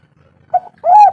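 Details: Spotted dove call used to coax lazy doves into calling: a brief soft introductory note followed by one long, loud, mellow drawn-out coo.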